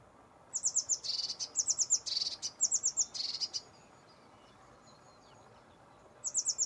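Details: Lesser whitethroat (Sylvia curruca) delivering several quick clusters of high, dry ticking notes, each burst paired with a brief buzzy rattle, then a pause of about two seconds before another burst begins; background otherwise quiet.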